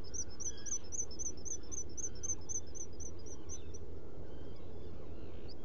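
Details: Black guillemot in a nest burrow on Seal Island NWR, Maine, 30 June 2018, around 2 a.m.: thin, high peeps repeated steadily about four times a second for four seconds, then falling silent, over a constant roaring background hiss.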